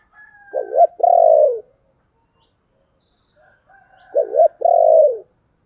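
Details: Spotted dove cooing used as a lure: a doubled stuttering note then a long, low, descending coo, repeated after about three seconds, with faint higher tones behind.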